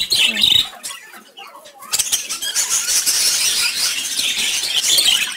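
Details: A group of brightly colored lovebirds chatter together in a steady wash of high, squeaky chirps and squeals. It is briefly quieter near the start, then grows into a continuous, busy chorus.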